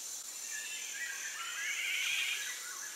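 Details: A wild Black-naped oriole at Huai Sala Wildlife Sanctuary, Thailand, where many of these orioles gather, gives a harsh, nasal, scolding-sounding call that swells for about a second, over a steady high hiss of insects.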